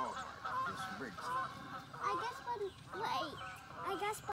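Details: Geese honking just before flying away, on May 4th 2019: overlapping nasal calls, several birds at once in an irregular chorus, with some human voices and laughter in the background.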